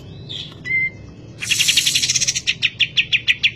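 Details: Kapas tembak bird singing actively: after a couple of short whistles, a fast stream of sharp, bright notes repeated about three times a second, ringing and insistent, over quiet background hum.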